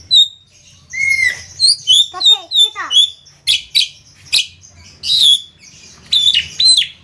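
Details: Javan myna in full gacor song: clear whistles, rapid descending chatter, sharp clicks and squeaky, rasping bursts in quick varied succession, over a faint low hum.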